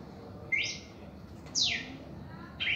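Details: Red-crested cardinal, reaction song: three strong sweeping notes about a second apart, the middle one a long, high downward slide, against soft background hum.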